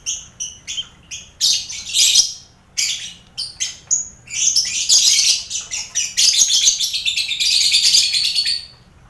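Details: Lovebirds in a mixed colony cage with finches and quail, played as contest training; clipped high chirps at first, then a sustained, buzzing wash of shrill chatter with a drawn-out whistle near the end.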